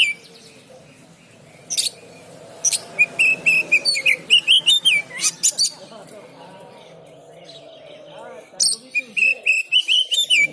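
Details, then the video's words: Oriental magpie-robin in market training: sharp chips, then a fast string of sweet, rising and falling whistles, a pause, and another whistled burst, with a low hum behind. "Bikin Mental Burung Kacer 123 Bagus"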